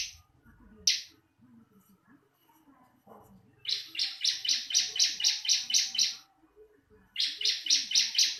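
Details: Two sharp single notes open this bar-winged prinia recording, followed by a long run of about twelve fast, high, buzzy notes and a second run after a brief pause, with faint low background murmurs.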